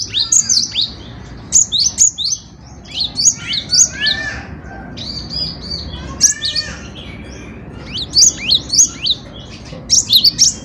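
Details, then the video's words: Persistent song of a cinereous tit (gelatik batu), played to tutor songbirds: loud, high, sharp chirps in irregular bursts of three to six, with brief silences between phrases and a soft low hum. "Burung Kicau Gelatik Batu Gacor"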